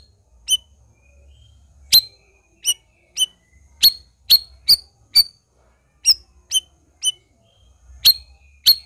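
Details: Lively Black-crested bulbul delivering sharp, ringing, high-pitched chips, some doubled, spaced irregularly about half a second to a second apart against a near-silent background.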